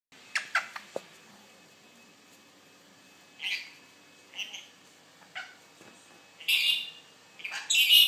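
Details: Pet rainbow lorikeet giving scattered harsh, screechy squawks, with sharp clicks early on and louder raspy calls toward the end, set apart by quiet gaps with faint room noise.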